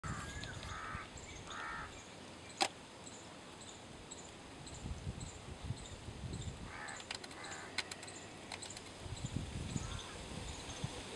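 White-rumped vulture giving harsh, raspy squawks in two short bursts, with a sharp click, faint high ticking and low wind rumble throughout.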